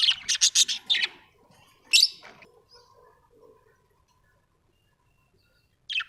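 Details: Domestic budgerigars indoors utter a quick run of scratchy chirps, then one sharp squeak, a pause of near silence, and a final brief squawk.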